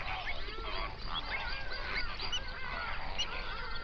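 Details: Large flamingo flock on a South African lake in the Overberg region, recorded binaurally around dawn; a thick wash of overlapping nasal gabbling and honks, fairly even in loudness throughout.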